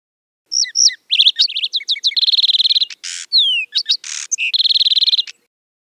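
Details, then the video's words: Wild lark sparrow song mixing quick whistled slurs and chips with long rapid trills, a couple of harsh buzzy bursts and a descending whistled glide, over a quiet background. "Birds Singing - Lark Sparrow"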